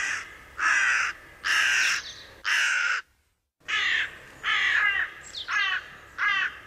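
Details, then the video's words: Hooded crows in a flock in a meadow, one foraging on an acorn, give harsh, rasping caws, about eight in a loose series, each roughly half a second long, with a brief silence midway. "Gråkrage - Hooded Crow/Grey Crow"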